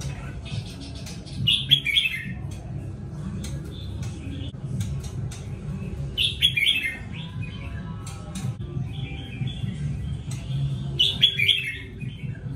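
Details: Red-whiskered bulbul singing well, short bright warbled phrases repeated about every five seconds over a steady low hum.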